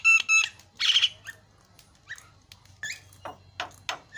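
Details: Noisy song of the Asian pied starling: harsh buzzy bursts and short squeaky whistles, followed by a run of spaced sharp clicks and rasps.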